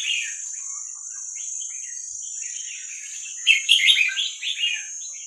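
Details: Red-whiskered bulbul youngster, wild Vietnamese type, for training young birds: soft scattered chirps at first, then a louder burst of bubbly warbled notes after a few seconds, over a steady high hiss.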